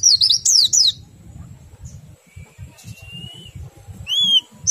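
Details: Oriental white-eye singing to stimulate other white-eyes: a one-second burst of high jumbled twitters, then a long thin rising whistle and a single curved whistled note near the end, over a quiet low hum.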